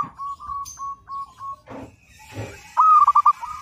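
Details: Local Zebra dove singing, kept as a training master: a row of short even coos, a brief pause with clatter, then a loud rapid stuttered trill ending in a held coo.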